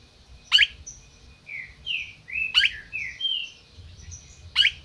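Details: Red-crested cardinal from a Brazilian captive breeder singing soft whistled slurred notes between three loud sharp chips about two seconds apart, light low hum behind.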